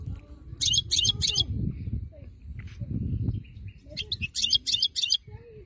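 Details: Wild-type goldfinch singing two short bursts of high, chattering twitters over strong low background rumble and murmuring noise.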